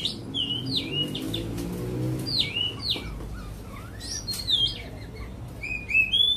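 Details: White-rumped shama from Cat Tien singing against a recording: a quick series of clear whistled notes, several sliding downward, with short breaks and higher thin accents near the end.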